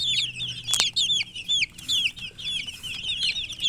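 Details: Close, loud chorus of domestic chicks wanting water: shrill, curving peeps, some rising and some falling, repeated in quick succession, with one sharp knock early on.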